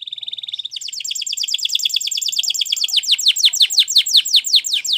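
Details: Canary training song: a fast high rattle shifting into a steady stream of quick downward-sweeping whistled notes, about three per second.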